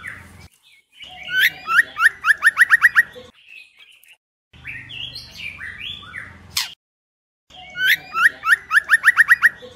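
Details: Calls of a female white-rumped shama meant to excite males: bursts of rapid, sharp, upward-flicking whistles in quick series, separated by silent gaps and a stretch of harsher, stepped chattering notes.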